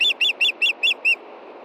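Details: Six piercing, rhythmic whistled chirps given by a female osprey begging for fish at dusk in Montana, 22 June 2013; the final note is softer before silence.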